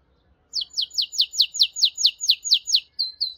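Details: Canary delivering about eleven sharp, evenly spaced downward-swept chirps, roughly four per second, followed by two short flat whistled notes.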